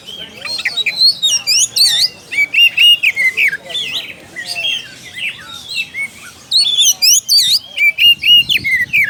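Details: Oriental magpie-robin calling a rival in a long, varied outpouring: rapid whistled slurs, squeaky chips and steady notes in two loud runs around a quieter twittering passage.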